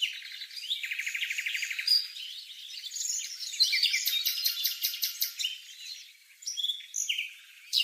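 Whitehead's broadbill gives a quick, buzzy rattle of high notes, then a jumble of sharp chirps and squeaky phrases with short pauses between bursts.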